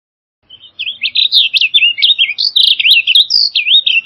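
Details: Blue grosbeak singing a rich, fast warble of slurred up-and-down notes, starting after a brief soft note and running continuously for over three seconds in a high, bright register with no other sounds.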